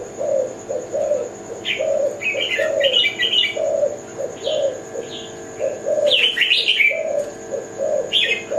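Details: Low rounded coos from a Kelantan-type zebra dove repeat steadily throughout, overlaid by frequent bright twittering chirps from other small birds and a constant faint high whine.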